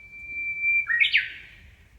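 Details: Small songbird singing in a shaded walkway of a park in Amakusa, Kumamoto, Japan, on a hot early-summer day: one long steady high whistle, then a quick tumbling burst of bright chirps that trails off into quiet.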